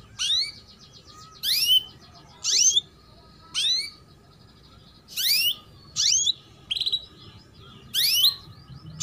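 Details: Female canary 'cuit cuit' call used as a tutor so young canaries begin singing soon; about eight loud bursts of sharply rising chirps, evenly spaced near one per second, over a faint steady whine.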